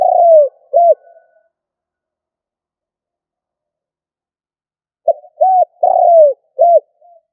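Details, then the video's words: Spotted dove decoy bird cooing in the 'cà lăm' stutter style. A phrase ends with a long sliding coo and an arched note. After a pause, a full phrase follows with a soft lead-in, a rounded coo, a long falling coo and a final coo. "Cu gáy mồi gù cà lăm"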